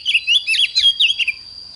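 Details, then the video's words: Short, dense phrase of oriental magpie-robin morning song: rapid rich whistles sliding up and down, mixed with scratchy chatter, delivered in a fired-up style over a faint steady high hum. "Chích choè than hót sáng"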